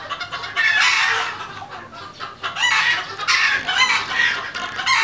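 Red junglefowl giving harsh, broken clucking and crowing-like calls in bursts through the five seconds, loud and raspy over a hissy background.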